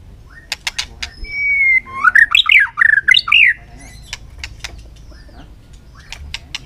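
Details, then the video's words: White-rumped shama in a song contest under afternoon sun: a sustained whistle then a jagged run of loud zigzag warbling notes, framed by sharp clicks. "chòe lửa căng lửa hót đấu siết nắng chiều"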